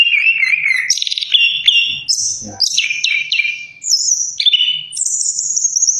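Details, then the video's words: Orange-headed thrush singing a varied, fast song of clear whistled phrases, buzzy notes and trills that jump between low and very high pitches, with short pauses between bursts and faint low thuds beneath. "Simak Irama Lagunya Anis Kembang"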